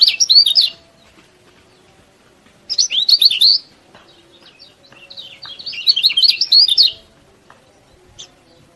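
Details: Lemon-bellied white-eye used as a master to make quiet birds sing, giving three separate bursts of rapid, high, sweet twittering with silent gaps between them.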